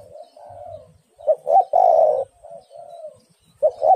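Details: Calling female spotted dove, meant to draw an answer from a male. Soft trailing coos build into a loud, drawn-out hollow coo, then fade into quieter coos before a new phrase begins. Faint low rumbling sits underneath.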